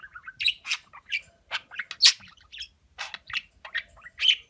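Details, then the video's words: Talking budgerigar producing scratchy, buzzy syllables and chirps in irregular bursts, like garbled mimicked speech. "Konuşan Muhabbet Kuşu"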